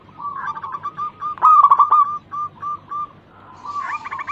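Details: Lure song of a local zebra dove said to sing often and woo well. A low, even run of cooing notes swells into a louder rattled burst, then thins to spaced single notes.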